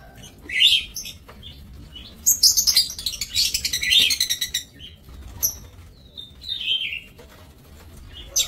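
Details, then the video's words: Caged aviary lovebirds, 5 July 2024, give sharp high chirps, then a dense run of rapid screechy chatter lasting about two seconds, followed by scattered thin squeaks and whistled notes. "Aviary Lovebirds"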